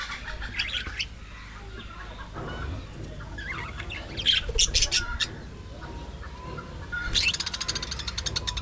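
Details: Budgerigar colony in an aviary: bursts of sharp, high chirps and squawks, clustered around the middle and end, over a steady low hum and soft background chatter.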